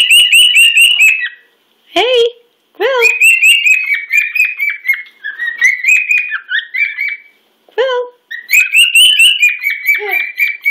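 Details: A loud pet cockatiel, a male, shows off to a companion bird at breakfast with bursts of warbling whistles and sharp chirps. Several phrases are broken by brief pauses, and each one wavers up and down.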